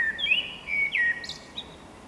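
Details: Eurasian blackbird (Turdus merula), praised as the neighbourhood's finest singer, delivering mellow fluted notes that dip and swoop, then a brief high scratchy flourish before fading out.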